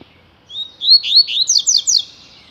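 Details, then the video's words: A double-collared seedeater (coleiro tui tui), singing a lot, used for training other birds, gives a high, clear phrase: a thin whistle sliding into quick slurred notes, then several fast descending chirps. "COLEIRO TUI TUI"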